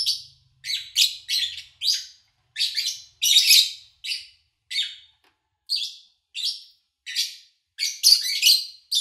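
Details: Lovebird chirping recorded over August 2019 days in an owner's absence; a steady stream of short, raspy high chirps, singly and in pairs, growing busier toward the end.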